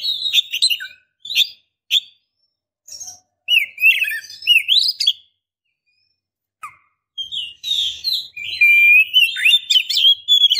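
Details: Oriental magpie-robin, a female calling a male for territory, mating or to make him sing: upslurred whistles in short bursts, a pause, then a fast continuous whistled warble.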